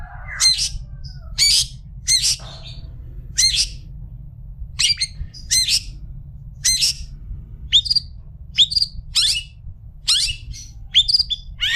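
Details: Long-tailed shrike, a special bird offered as a tutor for other shrikes, giving harsh, buzzy high notes with sharp down-slurred tips, spaced about every second, over a steady low hum.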